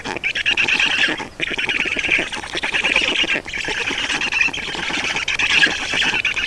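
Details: Nest of black storks in Estonia during feeding, 31 May 2019: an almost unbroken stream of hoarse, rasping calls with only two short breaks.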